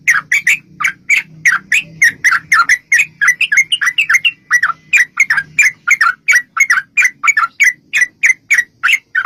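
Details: Rapid, long-running fighting song of a Yellow-vented bulbul used to lure bulbuls into answering: steady chattering whistled notes, about three and a half per second, slurred and bubbly, with a low hum early on.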